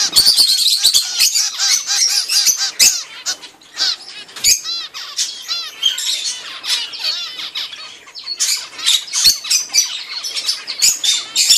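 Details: Begging chorus of zebra finch nestlings a few weeks old receiving food from their mother; frantic overlapping harsh, nasal calls rising and falling in intensity, with a quieter patch midway, scattered clicks and wing flutters.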